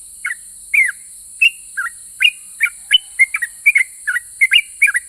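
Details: Yellow-vented bulbul in active ropel pajang song, described as provoking other bulbuls to reply: quick, varied whistled chirps, some paired, quickening toward the end, over a constant high hiss.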